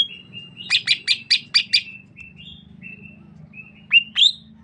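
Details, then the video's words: Sukamade greater green leafbird, from Banyuwangi in East Java, sings a drawn whistle, a quick run of five loud chips, soft wavering whistles, and then two rising, emphatic notes, all over a steady low hum. "Suara Khas Cucak Ijo Sukamade ( Merubetiri )"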